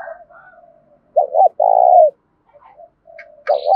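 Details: Agitating coo of a spotted dove, 'giọng thổ' style, used against wild doves and decoy birds. Soft low murmurs, then a loud phrase of two short notes and a long hoarse coo, another phrase starting near the end with a faint higher chirp.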